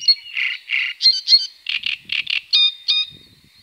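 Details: At the Tovačov ponds in the Czech Republic, 2013–2014, great crested grebes with young: high squeaky piping notes in uneven pairs and bursts, some clear whistled tones, with faint low knocks.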